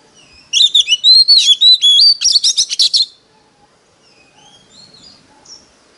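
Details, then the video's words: Fighting song of a decoy Oriental magpie-robin, meant to lure other birds: a rapid two-and-a-half-second stream of varied whistled slurs and sharp chirps. Soft, faint whistles follow in near silence. "Choè than mồi || SIÊU GỌI BỔI || Chích choè than hót đấu"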